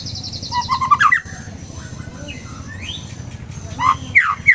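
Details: Agitated white-rumped shama giving bursts of sharp rising whistles and quick chirps, separated by a pause, over a steady low rumbling hum and a faint high tone.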